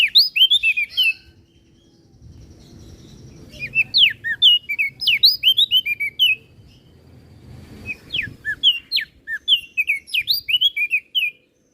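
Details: Crested white-eye from Flores in full 'gacor isian' song, used as a master recording to train other birds: rapid bursts of high, sharp chirps and quick falling whistles, pausing about two seconds between phrases, with low background rumble.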